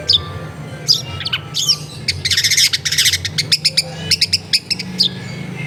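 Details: Long-tailed shrike song used as a lure to make lazy shrikes sing, recorded in a crowded residential area: harsh scratchy notes, then a rapid series of sharp high chirps, with a steady low hum behind.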